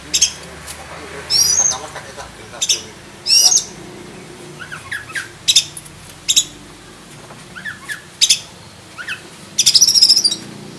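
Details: Captive black-breasted oriental magpie-robin singing its varied tutor song. Harsh rasping bursts and short downslurred whistles come in irregular bouts, ending in a loud, fast buzzy chatter. Indoor room noise is audible behind it.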